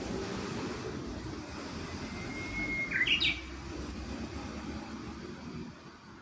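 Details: Japanese bush warbler at Kashiwanoha Park, Japan, in May 2025. One clear whistled note runs about a second, then snaps into a brief high warble, heard over constant broadband traffic-like noise.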